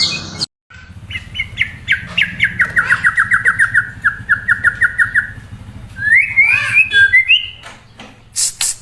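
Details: Murai song opening with a rapid series of about twenty short, even chipping notes, followed by twisting whistles and a harsh burst at the end.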